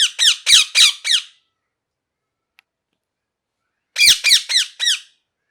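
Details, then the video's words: Harsh, rasping parrot notes come in two quick bursts of about four calls each, separated by nearly three seconds of silence with one faint click between them. "Parrot Chirping Sounds | Natural Parrot Sounds | Parrot Calling Sounds"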